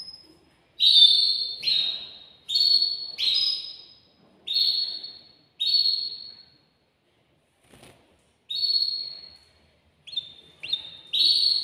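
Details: Male canary in a cage, singing to excite a female to mate, delivers a series of separate, high, short whistled rolls, each about half a second long, spaced by brief silences.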